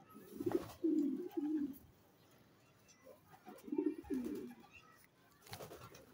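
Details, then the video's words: Checker racing pigeon cooing: two low, throaty phrases, each of three or four rolling coo notes, separated by about three seconds of quiet, with faint clicks and rustling in the background. "Checker Racing Pigeon"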